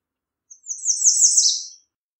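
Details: Song of an American redstart, a rapid series of high sliding notes run together into one bright phrase lasting just over a second and finishing with a lower downslur; nothing else audible.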